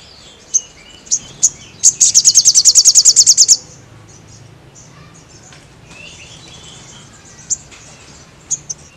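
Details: Crested jay in full voice, recorded for training caged birds: a few sharp high clicks, then a fast dry rattle of about fifteen even pulses lasting under two seconds, followed by scattered single notes.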